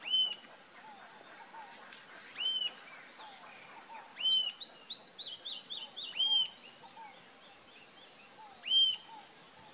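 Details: High, arched notes of a rufous-tailed jacamar recur at irregular intervals. A quick descending run of short chirps sits in the middle, and low soft notes from another bird sound in the background.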